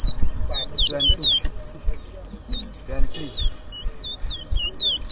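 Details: Towa towa singing during a 2023 bird whistling competition in New Amsterdam, Berbice, Guyana. Short sharp downslurred whistles repeat steadily, some doubled, over continuous crowd talk and shouting.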